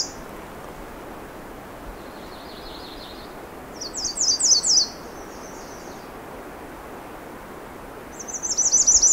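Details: A female American Redstart at Pine Tree Point sings three short, very high, thin warbled phrases, the middle and last loudest, over steady broad hiss. She has several short warble songs, including one resembling Common Yellowthroat mimicry.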